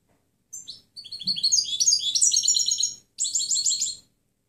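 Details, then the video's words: European goldfinch delivering its clean training song: a short chip, then a two-second run of fast, bright twitters and rattling trills, a brief gap, and a final one-second twittered phrase. "Canto del Jilguero Limpio Chant chardonneret"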